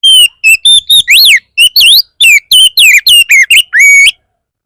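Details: Fierce Oriental magpie-robin song used as a lure to make other magpie-robins respond, sing or grow agitated: loud, clear whistled phrases. Some notes hold steady, others rise and fall steeply or loop. Delivered in quick bursts with short pauses.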